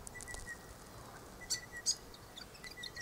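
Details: Grey fantail active in an Aleppo pine: two loud, sharp, very high chips about half a second apart, with fainter ticks around them and a thin, steady whine in the background.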